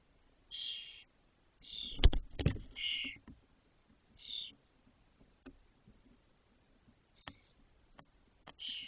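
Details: Six fully feathered spotless starling chicks in a nest in a cork oak, Doñana National Park, 2023, about 22 days after hatching as the first fledges; harsh raspy bursts, some overlapping, with loud knocks and scraping in the nest.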